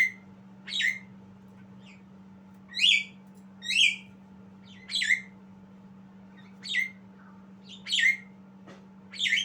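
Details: A young Javan myna practising its song gives harsh squawky chirps at uneven gaps, eight or so notes with some louder and buzzier than others, over a constant low hum in the background.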